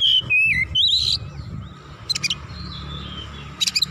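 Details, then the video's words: Agitated oriental magpie-robin in full song, unloading its repertoire: a few loud slurred whistled notes dipping downward, a rising warble, then a pause and short rattling, buzzy bursts over faint low background hum. "KACER GACOR MEMANAS NAIK EMOSI BONGKAR ISIAN"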